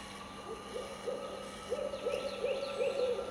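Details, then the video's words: An owl hoots in a backyard: a quick run of soft, low, even hoots, about three a second, rising slightly in loudness toward the end over a steady faint background hum. "Owl hooting in our backyard"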